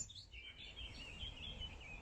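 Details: Eurasian blackcap (Sylvia atricapilla) singing at dawn on 4 May 2019 in meadows and bluebell wood at Hanwell, West London, amid the dawn chorus: a fast, warbling, jangly run of high scratchy notes, over a low background rumble.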